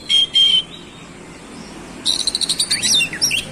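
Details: Two loud, clear whistled notes from an oriental magpie-robin, a pause, then a quick run of chattering, buzzy high notes in 'roll speed' style, a display of its varied fill repertoire.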